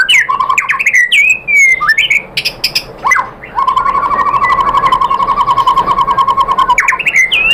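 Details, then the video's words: White-rumped shama provoking song: sweeping whistles and sharp chips, then a long, low, evenly pulsed rattle lasting several seconds before higher whistled notes return. "memancing EMOSI MURAI BATU biar ikut GACOR BONGKAR MATERI ISIAN ¦ PANCINGAN MURAI ¦ SHAMA BIRD"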